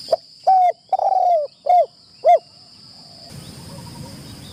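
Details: Decoy spotted dove in its first training at a trapping enclosure. It gives a clear sequence of five soft, downward-curving coos, one long and tremulous, before rustling noise takes over, with a steady high whine present.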